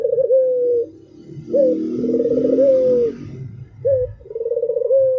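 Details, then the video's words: Albino Barbary dove singing a clipped introductory note and a drawn-out rolling coo, repeated twice, against a murmur of low background noise in the middle. "SUARA TAJAM !!! BURUNG PUTER ALBINO ll SUARA BURUNG PUTER MERDU"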